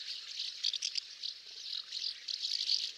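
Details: House martin (Delichon urbicum): continuous, dense high-pitched twittering and rattling chirps, steady throughout with small louder peaks, no other sounds apparent.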